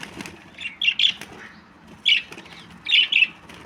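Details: Budgerigar, a small parrot, uttering quick clustered chirps in three bursts, with soft rustling between the calls.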